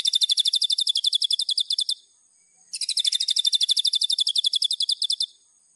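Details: White-rumped shama master song for training birds: two long bursts of rapid, evenly repeated high chirps, about four per second, each run lasting around two seconds with a short pause between.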